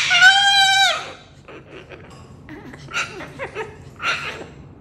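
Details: A Moluccan cockatoo sings indoors: one loud, held, nasal note for about a second, then softer chattering, laugh-like sounds, mixed with quiet human voices.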